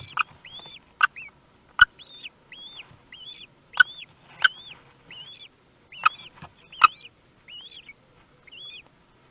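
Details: At a common kestrel nest in Théding, France, on 18 May 2021, with the first chick hatched, paired thin wavering whistles repeat steadily while occasional loud sharp clicks punctuate the sequence.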